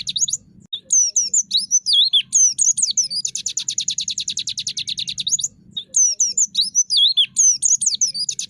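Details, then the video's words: White-eye giving its 'traktor'-style 'nembak' tutor song: quick, swooping, high whistled figures lead into a sustained rattling burst of rapid, identical notes lasting over two seconds, followed after a gap by more varied looping whistles; soft low hum throughout. "Top master pleci suara TRAKTOR‼️masteran nembak spesial pleci"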